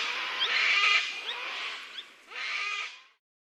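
A Sulphur-crested Cockatoo gives two loud, harsh, grating squawks, a long rasping one followed by a shorter burst, with nothing else heard.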